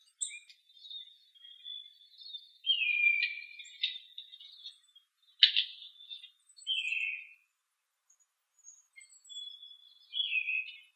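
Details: Pine siskins in a birch tree, November 24, 2012: loud, varied chirps and twitters, with downslurred buzzy notes, a sharp burst near the middle, and short whistled tones separated by brief silences.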